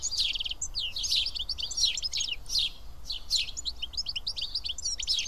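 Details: At Karyotissa in Greece, seven house sparrows feed side by side, keeping up a busy stream of sharp, high, overlapping chirps in loose bursts, with steady low background hum beneath.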